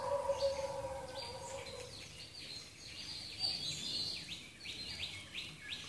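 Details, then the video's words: Tickell's blue flycatcher in Sri Lanka giving a string of short, high, downslurred whistled notes in quick succession, following a lower steady hum in the first two seconds, over a hiss of background noise. "Tickell's Blue Flycatcher (Location : Sri Lanka)"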